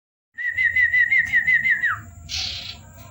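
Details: Common Iora (cipow) singing at night in whistle variations: a long wavering whistled note held steady for about a second and a half, then sliding downward, followed by a short harsh buzzy burst.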